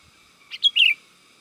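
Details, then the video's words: Sooty-headed bulbul call used as a lure for wild birds: a short phrase of two quick chirps and a longer slurred whistle that falls at the end, over a faint steady hum. "SUARA PIKAT BURUNG KUTILANG GACOR 100%AMPUH UNTUK SUARA PANGGILAN DAN MASTERAN"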